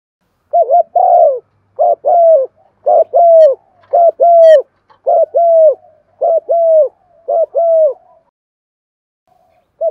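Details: Spotted dove used as a decoy to stir wild doves, singing in the Thổ voice style with calling coos: low, mellow two-part coo phrases repeated steadily about nine times, each a hollow rolling note followed by a longer drawn-out one.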